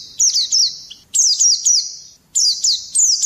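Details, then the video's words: Oriental white-eye song for provoking other birds into singing, delivered as three buzzy, very high trilled phrases, each about a second long, with short silences between. "Pleci gacor ngerol nembak kasar cocok mancing emosi"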